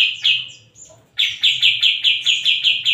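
A Grey-cheeked Bulbul gives a brief warbled phrase, a short pause, then a fast run of about nine bright chirps, roughly five per second, with a faint low hum underneath.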